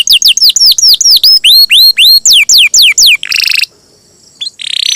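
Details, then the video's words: Singing canary used to prompt other canaries into song, loud repeated downslurred whistled notes about four per second, then a brief buzzy trill and a pause before a short harsh phrase. "Pancingan Suara Burung Kenari Gacor, Ampuh Rangsang Kenari Cepat Bunyi"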